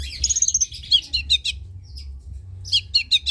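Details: Long-tailed shrike song played to coax lazy shrikes into singing: harsh, buzzy chattering bursts in quick runs, a high thin whistled phrase near the start, and a steady low hum underneath.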